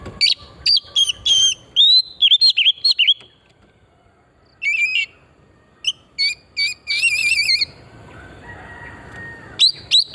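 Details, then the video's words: Oriental magpie-robin, pristine-forest song used as a lure to stimulate singing: a long, varied stream of clear slurred whistles, a pause, more whistles with a quavering trill, then soft rustling and final notes. "Pancingan burung kacer pesona hutan murni gacor"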